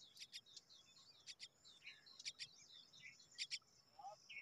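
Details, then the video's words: Common myna babies, hungry for their mother's return, repeat high scratchy chip pairs and short bursts at an uneven pace. A brief lower note sounds near the end. "Myna children are hungry, waiting for their mother"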